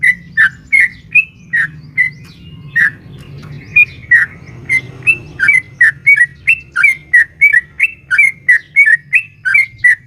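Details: Long 'ropel' song of a female sooty-headed bulbul calling a male, played to make a caged bird respond; whistled notes start spaced, then quicken into a steady rapid chain, with a soft low rumble throughout.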